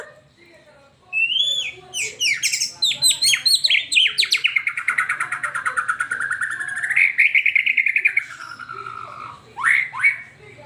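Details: White-rumped shama song played to spur a pet bird into singing: rich whistled phrases and rising slurs, then a long rapid trill that dips and climbs, ending in sharp upward notes, with faint voices behind.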